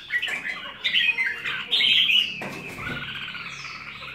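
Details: Red-whiskered bulbul pouring out a dense, slightly harsh stream of warbled chirps, with some noise partway through.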